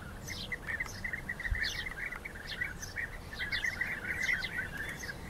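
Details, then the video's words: Fighting rival European bee-eaters produce a steady stream of burry, rolling calls, overlapping and building toward the end, with thin higher notes above and soft ambient noise. "Rivalenkämpfe Bienenfresser"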